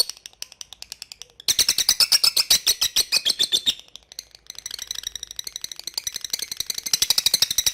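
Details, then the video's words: Rapid high-pitched chattering 'ngekek' from a lovebird: a soft stuttering start, then a loud fast pulsed burst, a short break, and another long steady chatter. "LOVE BIRD NGETIK MEMANGGILLAWAN AGAR RAJIN NGEKEK"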